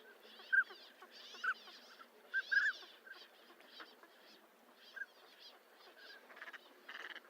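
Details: Several short whistled notes from a northern pintail, bunched in the first few seconds and then fading, with faint rustling behind.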